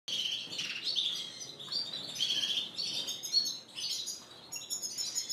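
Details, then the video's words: Several caged canaries, Spanish Timbrado and Gloster, singing in a bird shop on April 9, 2016; overlapping high twittering phrases and trills with short pauses, several birds at once. "Singing Canaries"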